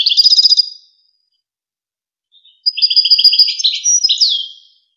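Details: European goldfinch singing the Wakr Touzgha tutoring song for chicks and hybrids: a fast rattling trill, a pause, then a longer tinkling, twittering phrase ending in a descending slurred note, loud and clear.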